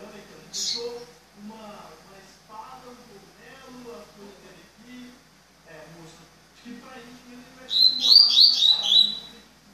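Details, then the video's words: A man talks for most of the clip; near the end a double-collared seedeater gives a quick, bright three-note phrase of high, sharp whistles. "Coleiro 3 Notas"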